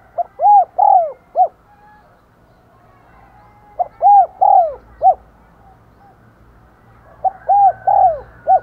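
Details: Spotted dove used as a decoy to call in wild doves, repeating its low, rounded coo phrase three times, roughly every three seconds, each phrase ending in a slurred coo and a short final note.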